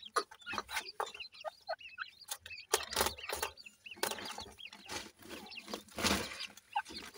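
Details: Grey francolin chicks calling their mother: thin, high peeping chirps that bend up and down, given in quick runs, mixed with sharp scratching and tapping clicks close by.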